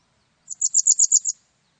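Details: Japanese wagtail, recorded in 2020, gives a neat run of six evenly spaced, very high chirps over about one second, with nothing else heard.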